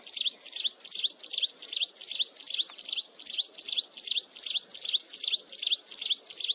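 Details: Close-up mountain wren in incessant, piercing song: high, clipped notes that swoop down and back up, repeated steadily about two and a half times a second with little pause, faint low rumble beneath.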